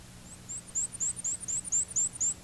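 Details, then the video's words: Male black-and-white warbler song: very high, thin two-noted phrases, wee-see wee-see, repeated rapidly like a squeaky wheel turning round and round, over a faint low hum. "Our first bird is the black and white warbler. He's the bird whose high-pitched song sounds like a squeaky wheel turning round and round."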